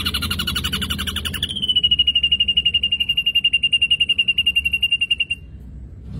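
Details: Ashy drongo singing: a brief multi-toned rattled phrase gives way to a long, even, high trill of rapid pulses, about four per second, holding steady pitch for several seconds before stopping.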